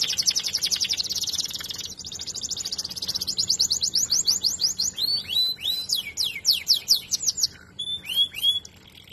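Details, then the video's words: Song canary bred for sweet singing: a rapid buzzing roll gives way to a slower series of repeated sweeping notes, then looping whistled phrases. "List of Song canaries singing : Bred for their sweet Canary singing ability"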